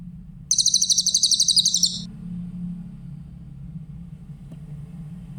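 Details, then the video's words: Training recording of a Grey-headed canary-flycatcher singing one fast, high-pitched pulsed trill of about one and a half seconds, then quiet with only a low background hum. "Masteran burung cililin , suara jernih"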